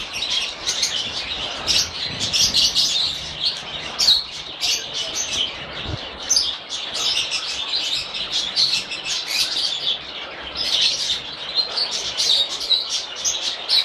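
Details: Lovebirds, a group of parrots, keep up a busy, unbroken chorus of bright, squeaky chirps and quick twitters layered over one another, with one dull thud near the middle.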